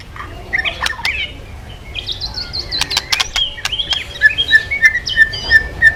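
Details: White-rumped shama in vigorous song, used as a lure to get other birds singing: mixed whistles and sharp ticks, then a run of short bright notes repeated about every third of a second, with faint background hiss.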